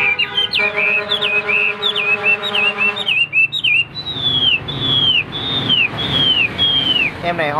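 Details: Caged Hwamei, tested in fighting display, sings over a brief steady tonal hum. It follows with a run of loud clear down-slurred whistles repeated about once a second.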